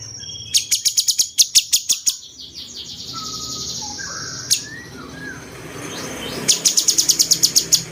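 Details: Cucak cungkok bulbul singing in the 'rasa jenggot' style, used as a master to train champion songbirds: bursts of rapid, sharp, high chips about three per second, a pause with soft lower whistles between the series.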